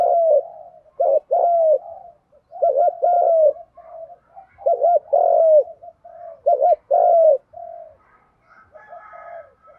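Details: Spotted dove lure recording for bird training, featuring male and female birds: a run of looping double coos each closed by a long descending coo, repeated about five times, fading into faint higher chatter.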